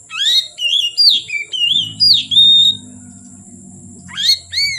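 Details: Oriental magpie-robin singing at dusk: a series of loud whistled phrases, rising, falling and one long even note, then a pause and a final swooping burst; low hum behind.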